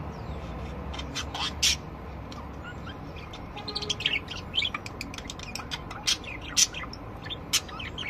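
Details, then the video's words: Various budgerigars in song: rapid clicks, ticks and chirruping notes scattered throughout, with louder scratchy bursts every second or so, steady low hum beneath. "Chant perruches"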